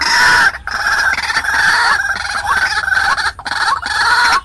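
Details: White-breasted waterhen call used as bait for wild birds: steady, grating chatter of overlapping nasal notes with a few brief drops in loudness.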